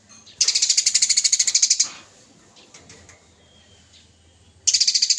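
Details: Lively Eurasian tree sparrow fighting on a training recording: a loud, high, buzzy chatter of around fifteen rapid pulses over a second and a half, a quiet gap, then a fresh burst starting.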